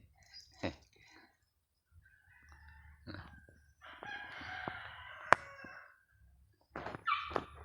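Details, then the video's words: A goose, said to be affectionate and to have missed its owner, gives a few short, harsh honks, then a longer, nasal, drawn-out honk with a brief squeaky note at the end. "nag lambing si gansa na miss daw nya aqo"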